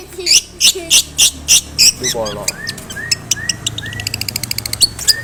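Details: Long-tailed shrike singing a mimicry-laden lure song with fighting-sparrow imitations: loud rasping bursts at first, then a fast series of ticking notes and short whistled slurs accelerating toward the end.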